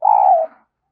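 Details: Single short, low, hollow coo of a spotted dove, flat and steady before fading, played as a decoy call to attract wild doves.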